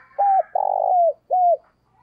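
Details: Morning coos of a decoy spotted dove luring wild birds: an arched note, a long rasping burr ending in a downslide, then a final arched coo, all low and hoarse.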